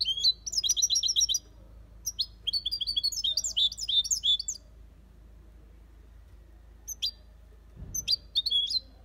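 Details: European goldfinch in an aviary singing the copia Malaga style: rapid bursts of high, tinkling twittered notes for over a second at a time, then short pauses, with a few sharp isolated chirps near the end and faint background hum.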